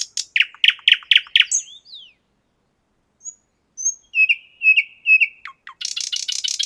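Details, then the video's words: Common nightingale singing in the 50th Anniversary of October park in Moscow, recorded with a shotgun microphone: a quick series of loud clicking notes, a pause, then whistled slurs, repeated rich notes and a fast buzzy rattle. "Пение соловья"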